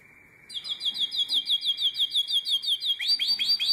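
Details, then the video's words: Nightingale-voiced canary recorded in Drama, Greece, in 2017, singing a steady rapid trill of short repeated notes, about three per second, high and sweet, shifting at the end into quicker upswept chirps. "Αηδονόφωνο Καναρίνι"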